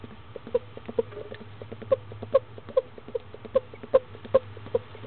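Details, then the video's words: Female barred owlet in Florida, hatched around 6am, eating her second meal eagerly at 10am on 19 February 2015; short soft chirping pulses, about two or three per second, with faint clicks and a steady low hum behind. "Barred Owlet - Fern meal2"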